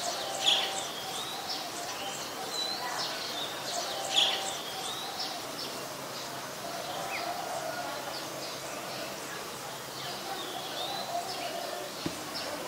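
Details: Late afternoon, 25 March 2021, an olive-backed sunbird calls near a house: sharp high chips stand out near the start and again around four seconds, between fainter thin whistles, with a constant noisy background and a click near the end.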